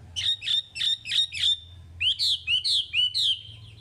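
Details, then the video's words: Chinese hwamei song for caged-bird training: five quick repeated whistled notes, a short pause, then a second series of fuller rising slurred whistles, over a faint low hum. "Suara Wambi Gacor Untuk Pancingan Hwamei Bahan"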